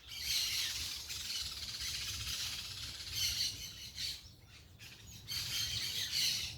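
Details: Parakeets chattering in the open: waves of harsh, high squawks that swell, drop away briefly near the middle, then return strongly, over a steady noisy background.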